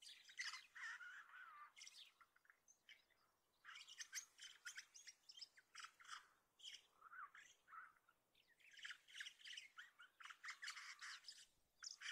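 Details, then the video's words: A common starling pours out a dense, rambling medley of harsh squawks, clicks, rattles and thin whistles in continuous bursts, with a faint rising mechanical whine underneath. "ホシムクドリ鳴き声 / Common Starling"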